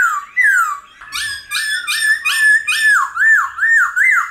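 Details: Black-throated laughingthrush singing in the mature wild-style voice for training wild-caught birds. An opening downward slide is followed by loud rising-and-falling whistles repeated about three times a second, bright and rich in overtones.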